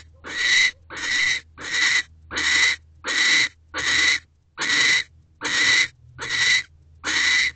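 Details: Owls mating in nest box C at 7:47 pm on 15 December 2023: loud, grating screeches with a thin whistled edge, ten bursts about three-quarters of a second apart, over a soft background hum.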